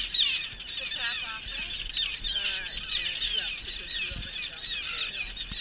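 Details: Nesting colony of common terns on Great Gull Island during adult trapping and banding; a constant chorus of grating, high-pitched calls from many birds, occasional lower squawks, and faint handling noises.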